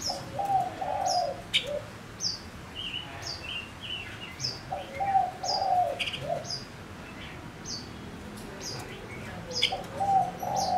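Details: Male Gouldian finch kept as a decoy, singing to lure wild birds: short high descending chirps repeated about twice a second, with low mellow cooing phrases in the background.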